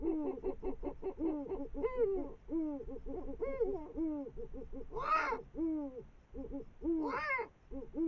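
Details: Eurasian eagle-owl female and male eating a brown rat above the Moselle valley, 5 am, 21 March 2022; rapid run of short, low, arched hooting notes, several per second, broken twice by louder harsh rasping calls.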